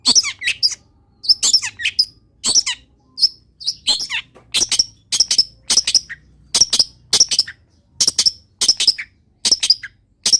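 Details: Vigorous mimicry-filled song from a Long-tailed shrike: loud doubled chirps and slurred high notes delivered in steady pairs about every second, with the sharp bursts separated by silence.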